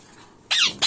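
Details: A single sharp, grating squawk from an Indian ringneck parakeet, bending downward, followed by the start of a second shriek.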